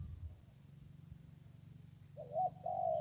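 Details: A low steady hum fills most of the recording before a wild zebra dove near the Ping River breaks in with two clear, rolling cooed phrases in the final second.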